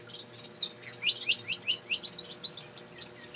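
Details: Male canary trilling a fast run of repeated downward-sweeping whistles, about a dozen near-identical notes in quick succession, sharp and bright over a low background hum.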